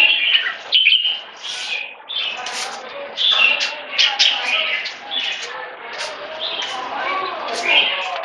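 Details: Red-whiskered bulbul in "one stroke" song leading to keke, a dense run of chirpy, slurred whistled notes rising and falling, with a faint lower sound mixed in.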